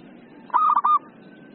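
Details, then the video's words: Local zebra dove in lively voice gives one brief phrase of three or four fast, clipped coo notes at an even pitch over a quiet background. "PERKUTUT LOKAL GACOR"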